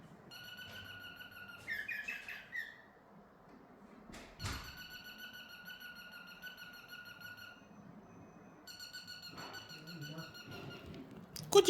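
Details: Pet male cockatiel vocalising at his reflection in a small room: long, steady, harmonically rich whistled tones held for several seconds, broken by a brief burst of quick chirps, a loud knock, and a sharp bang near the end.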